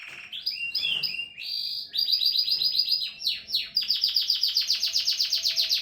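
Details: A canary sings loud whistled phrases that break into a fast, even run of repeated high notes, about four per second, pulsing steadily to the end.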